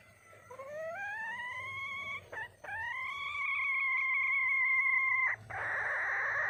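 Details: Wild hen junglefowl seeking a male: a rising drawn-out note, a short break, then a very long even tone held about two and a half seconds before cutting off into a burst of hiss.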